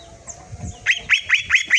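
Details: Green leafbird (cucak ijo) in 'tembakan' tutor song. Five loud, identical, sharply falling whistled notes are repeated evenly about every fifth of a second.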